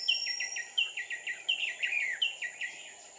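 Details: Decoy red-whiskered bulbul singing during trapping at Kim Bôi, 7 May 2019: clipped groups of three or four falling chirps, each group opening with a brighter note, repeated about every 0.7 seconds above a constant high-pitched hum.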